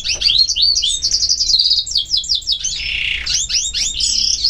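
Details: Continuous bright songbird warbling described as nature sounds: rapid, high chirping notes strung into fast trills with sweeping whistles and a brief buzzy passage in the middle, over faint low hum.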